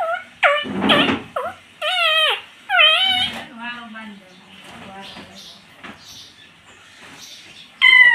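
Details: Pet rose-ringed parakeet talking, imitating "mummy" and "papa": a run of rapid, nasal, word-like syllables, with a person speaking softly in the middle and another parrot phrase at the end.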